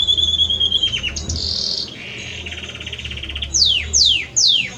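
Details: Male Belgian canary serenading the female: high whistled notes, a brief buzzy roll, a lower soft rattling trill, then three loud sweeping downslurred whistles at the end.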